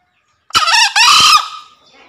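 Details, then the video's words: Calling a rival, a male green junglefowl gives one hoarse crow in two parts: a quick rising opener and a sustained, buzzy second syllable that fades, followed by a faint rustle, otherwise clean. "Suara Pikat Ahh Jantan Memanggil Lawan"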